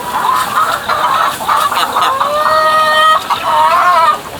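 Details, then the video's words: A chicken making weird noises: quavering, drawn-out harmonic calls that rise and hold, mixed with rough cackling bursts. "Weird Chicken Noises"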